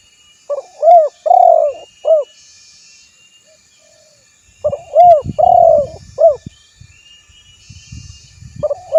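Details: Spotted dove recorded as a lure that calls a rival and prompts other doves to respond; two four-note cooing phrases about four seconds apart, each with short coos framing one longer throaty note, and some low rumbling noise during the second.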